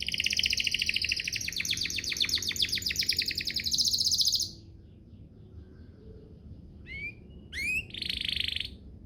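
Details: Canary song played so other canaries will answer: a long loud rapid rattling trill, then near silence with low background noise, a few rising chirps and a final buzzy burst.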